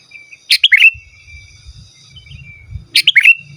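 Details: Lively sooty-headed bulbul used as a lure for wild birds and a song tutor: two warbling phrases of sharp high notes sliding into a lower rippling whistle, separated by low background rumble.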